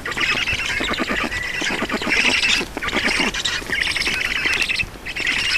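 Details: Black storks feeding at a nest in Estonia, 4 June 2019, early evening: nearly continuous shrill, buzzy squealing with rapid pulses, rising and falling in loudness over several seconds.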